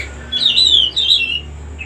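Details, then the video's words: Cucak rumbai, song used to lure young birds: two quick bright whistled warbling phrases in close succession, slightly falling, with a faint low hum beneath. "suara kicau burung cucak rumbai cocok untuk pancingan burung bahan /bakalan"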